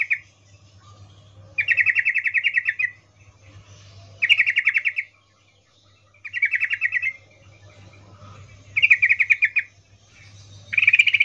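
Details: Female yellow-vented bulbul uttering a 'ngecuplik' mating call to attract a male: five dense buzzy rattles, each about a second long, repeated every two seconds or so, with a constant low hum in the background.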